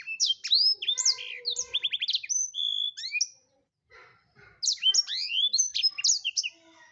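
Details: Blackthroat singing busily as a tutor for songbirds: a three-second stream of high rapid whistles, buzzy trills and slurred notes, a brief pause, then another lively warbling phrase.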